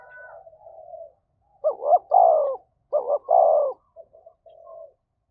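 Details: Spotted dove cooing to incite a fight: quiet murmuring, then two phrases of paired short coos each ending in a longer drawn-out falling note, followed by faint trailing murmurs.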